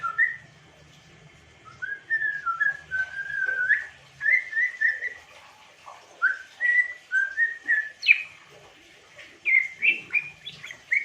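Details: Whistling African grey parrot: phrases of short slurred whistles, some rising sharply, delivered in bursts separated by brief pauses; a faint low hum underneath in the opening seconds.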